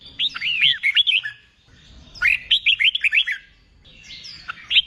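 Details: Wild-caught red-whiskered bulbul being trained for singing contests, delivering bursts of bright, liquid whistled notes, rising and falling in quick phrases, three phrases separated by short pauses.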